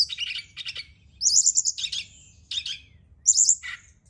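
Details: Brown-chested jungle flycatcher at night, song played to stimulate singing: bursts of rapid high chattering and bright whistled triplets, separated by short pauses, with faint low background hum.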